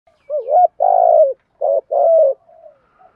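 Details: Spotted dove cooing in the local 'giọng thổ' style used to stimulate decoy birds: four mellow, hollow coos, a short rising note, a long drawn coo, then another short and a long one, in silence.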